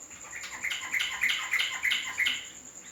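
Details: Yellow-vented bulbul giving a short bout of six bright, bubbly whistled notes in even succession, each with a brief upward flick, over a constant high-pitched insect hum.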